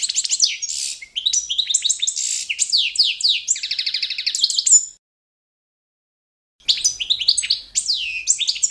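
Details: Training recording of Carduelis carduelis balcanica competition song: long run of rapid tinkling twitters and buzzy trills, nearly five seconds of continuous singing, silence, then another lively twittering burst.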